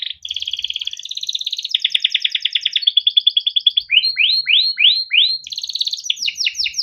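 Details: Canary song for coaxing young or silent canaries into singing: dense buzzy rolls at steady pitch, a pulsed trill, then rising whistled sweeps repeated about twice a second, ending in another roll.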